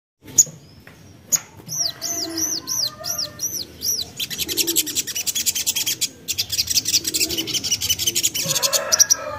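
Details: Common iora, a young untrained bird, singing in a recording used as a lure to make other ioras sing; a row of high, arched chirps, then a fast run of sharp, buzzy pulsed notes that continues to the end.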